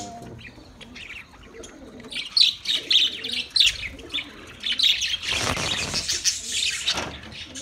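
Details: Budgerigar chatter of quick, scratchy chirps, thin at first, then swelling into a loud, dense burst of high warbling near the end.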